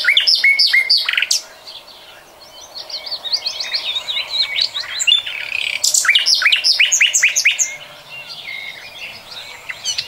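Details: Energetic 2020 song of a common nightingale: rapid pulsed rattles, a pause, then long runs of sharp, quickly repeated chirps and twangs, with a short, fast flourish near the end.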